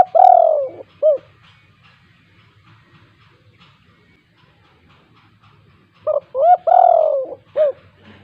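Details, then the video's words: Spotted dove with the KUK 2 call style, used to spur lazy doves into calling: a cooing phrase of a long coo and short arched notes, repeated after about five seconds, with faint low background noise. "tekukur GACOR KUK 2 untuk pancingan tekukur malas bunyi"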